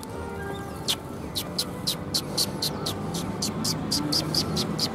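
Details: Sparrows coming for food at a Tenmangu shrine on January 25 2021: a steady train of brief high chirps, about three per second, over low background noise.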